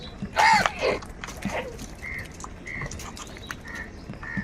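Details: One of many crows, said to be squabbling over food, gives a harsh, loud caw and a shorter second one. Then thin, whistled notes from another bird repeat every half second or so.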